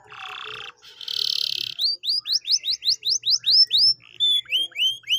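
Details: Canary song meant to spur a silent canary to sing: a buzzy rattle, then a steady series of about a dozen quick upward-sweeping whistled notes, followed by softer repeated slurs.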